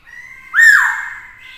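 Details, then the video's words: Black-throated laughingthrush singing to provoke rivals, accompanied by a female that excites the male: a single loud, clear whistled note, sharply rising then slowly sliding down, with faint tonal sound before and after. "Khướu mộc hót kích đấu - Khướu bạc má hót nhiều giọng hay - kèm khướu mái kích trống căng lửa"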